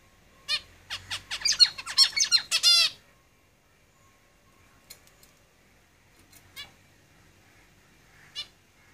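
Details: Caged zebra finch song: a quick burst of rapid buzzy, nasal and chattering notes lasting about two seconds, then a few scattered single calls in near silence.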